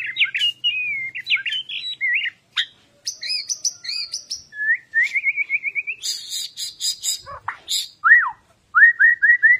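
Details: White-rumped shama, a well-cared-for cage bird, delivering fierce fighting-style song. Looping whistles and slurred notes alternate with quick repeated chips, a short harsh buzzy burst, and rising whistled series near the end.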